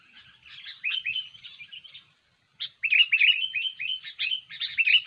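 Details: Sooty-headed bulbul singing loudly for use as a trapping lure: two rich bursts of rapid, rolling, liquid whistled notes with a short silent gap between, clean and clear.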